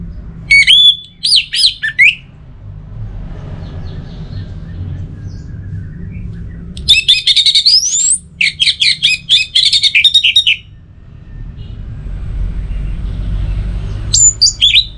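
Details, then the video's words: Orange-headed thrush in varied song: sharp whistled bursts, a rising squeaky run, then fast stuttering clusters of high notes, broken by quieter gaps with soft background twitter and steady low hum. "98% Obat Gacor Burung ANIS MERAH Buat Burung Yang Lagi Malas Bunyi"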